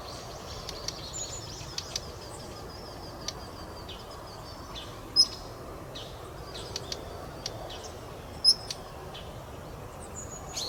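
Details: Daurian redstart calls, with male and female voices among three call types. Thin high whistles and sharp dry ticks come scattered and irregular, at about eighteen a minute, over faint steady background noise.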